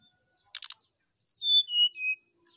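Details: Energetic sooty-headed bulbul song with a full, varied repertoire, meant to prompt other bulbuls to sing. Three quick buzzy notes are followed by five pure whistles, each stepping lower in pitch, in a clean recording without background sound.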